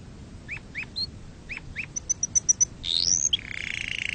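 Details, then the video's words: Canary song aimed at teaching chicks and mating: faint scattered chirps, a row of short high pips, a rising slur, then a buzzy rapid trill. "تغريد كناري أصلي لتعليم الفراخ وللتزاوج وتهييج طيورك"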